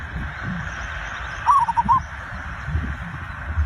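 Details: Zebra dove song played to coax other birds into singing quickly: a single short burst of rapid, soft, mid-pitched cooing notes heard through a constant hiss and low hum.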